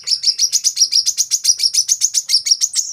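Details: Brown-throated sunbird song for prompting caged birds to sing: an unbroken, even run of fast, piercing high chirps, roughly seven per second, steady in pitch throughout.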